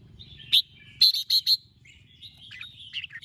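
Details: Red-whiskered bulbul morning song in the 'chè' style, used to train and stimulate birds to sing: one sharp note, then three quick, bright, buzzy notes, followed by softer warbling over a low background rumble.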